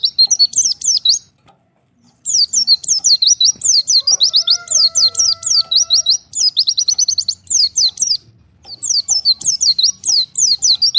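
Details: Oriental white-eye apart from the colony, calling to other birds: long runs of high thin downslurred chirps and rapid trills, broken by short pauses, with a faint steady tone in the background.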